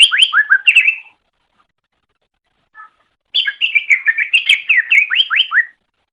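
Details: Greater green leafbird song used as a training recording for pet birds: rapid bursts of slurred, whistled notes sweeping down, two phrases separated by a pause of about two seconds.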